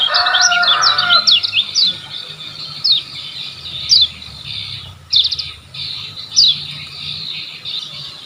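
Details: Olive-backed sunbird from Lombok, a lively singer whose recording serves as a tutor for caged birds: rapid high sharp chirps and slurred notes tumbling quickly, with a brief lower rasp at the start.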